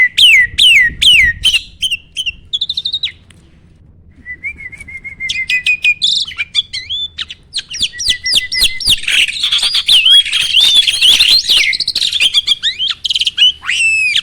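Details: Training recording of a starling, played so other birds answer in song; fast chirps open, then a soft trilled stretch, then dense, excited chattering mixed with whistles and buzzy notes.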